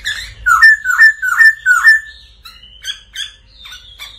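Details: Black laughingthrush in intense song: a series of five loud, slurred, rising-and-falling whistles followed by sharper chips and a thin high whistle.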